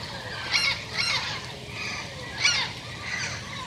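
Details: Turquoise-fronted amazon (Amazona aestiva) in a garden, from a yearly visiting group led by a pair that arrives first and calls the others, giving four harsh, raspy squawks, two close together, then two spaced about a second apart, over soft hiss.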